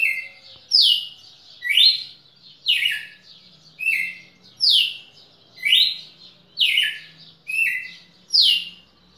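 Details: Loud, rhythmic song of a red-cowled cardinal from Pernambuco, 10 December 2017: falling whistled phrases near one per second, high and low notes interleaved, with a faint low hum beneath.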